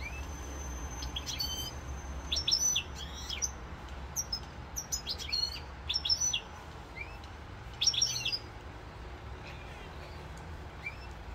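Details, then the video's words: European goldfinch singing in Corsica, 7 November 2022, giving separate clusters of sharp, tinkling twitters and buzzy slurred notes, each burst under a second, spaced out with quiet gaps and a thin steady whine in the background. "chant chardonneret"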